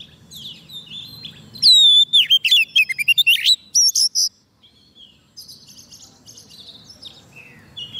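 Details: Soft-food-fed Oriental magpie-robin singing to draw wild birds: a dense two-second burst of swooping whistles and rapid chips, followed by fainter, thinner notes.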